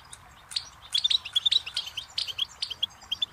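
A goldfinch twitters quickly: bright, tinkling notes and short buzzy trills tumble out in an uneven stream, with nothing else heard.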